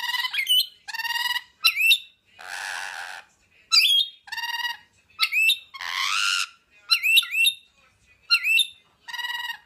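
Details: Rainbow lorikeet giving loud, harsh screeching squawks, short burst-like calls alternating with longer grating screeches, repeated many times in quick succession with brief gaps, no other sounds.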